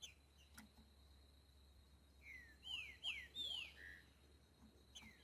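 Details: Green-winged saltator singing in the wild, boiadeiro style: one phrase of four clear whistles, each gliding downward, ending on a lower note, set against steady low hum and hiss.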